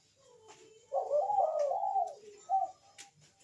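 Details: Puter dove, the Barbary dove, giving a bekur coo as a lure for other doves: a rolling, warbling coo lasting about a second, then a short note. It sounds quieter, with faint background hiss.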